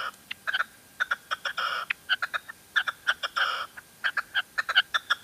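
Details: Female red-legged partridge in La Mancha giving an uneven series of clipped, chuckling notes broken by a few longer rasping bursts, with quiet gaps between phrases.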